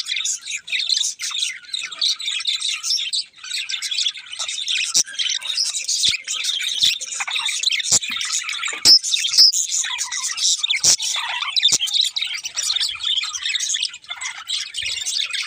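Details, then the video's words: Several budgerigars keep up a busy flock chatter, fast high chirps, warbles and scratchy squawks overlapping throughout, with a few sharp clicks and thumps in between. "Cute Budgies Chirping Sounds"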